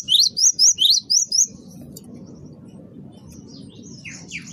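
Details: Great tit song played to lure birds: six loud, sharp, upward-slurred whistles in quick succession, then a quiet stretch with faint distant chirps and low background hum.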